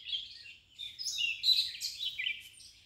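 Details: Red-vented bulbul chicks being fed by a parent give high, thin, squeaky begging chirps in an excited jumble, rising and falling over a few seconds, with faint low background noise.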